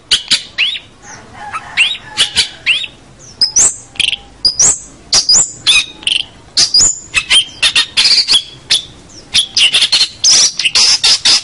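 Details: Long-tailed shrike (cendet or pentet) in a lively singing bout, used as a master recording for local birds. A fast, varied run of chirps, rising whistles and scratchy notes with quick changes in pitch goes on throughout.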